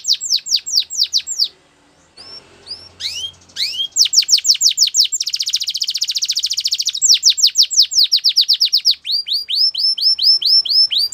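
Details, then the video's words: Belgian canary song: a series of falling whistled notes, a short gap, scattered rising notes, then a rapid rolling trill and long runs of sweeping descending and rising whistles. "Melodies Canary Birds Song | Belgian Canary"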